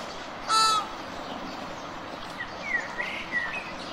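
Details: A single loud nasal flamingo honk near the start, then softer distant calls and short rising notes from other birds over a steady background hum.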